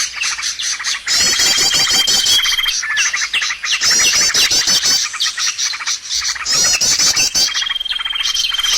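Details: Bird lure sound used for trapping birds: dense, high-pitched chirping from several birds, with rapid trilled bursts, repeated upswept whistles and a long steady thin whistle, in loud bursts separated by brief pauses.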